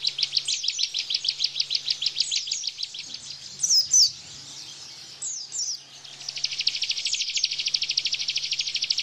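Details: Bar-winged prinia (ciblek) energetic 'tembakan' burst song, used as tutor for caged white-eyes: fast runs of sharp high chips repeated about three times a second, a brief squeaky break, then a dense buzzy rattle, over a faint low hum.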